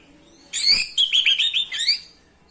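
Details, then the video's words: Orange-headed thrush gives one rich, fast song phrase of about a second and a half: sweet, varied, slurred high warbled notes ending in a rising flourish; used to stir male thrushes into breeding condition and get silent birds singing. "memancing birahi AM jantan, AM macet/malas bunyi langsung gacor"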